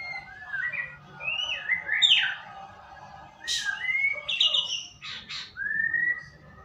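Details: White-rumped shama song played as a lure to make a bird sing: varied loud whistled phrases, some rising and falling, mixed with harsh buzzy bursts and short pauses, over a low steady hum.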